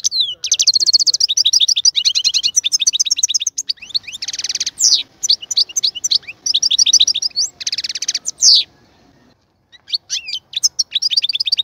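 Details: European goldfinch singing in a cage being prepared for breeding: rapid twittering phrases of high chirps and trills with buzzy, harsh notes mixed in, sung almost without pause over nearly twelve seconds, with two short quiet gaps.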